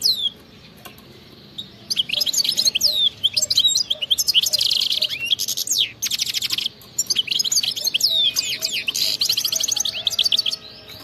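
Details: European goldfinch in 'khlowi' wild-style song with rapid 'betbta' trills, played to prompt silent goldfinches to sing: dense bursts of high twittering notes and sweeping whistles, with short pauses between phrases.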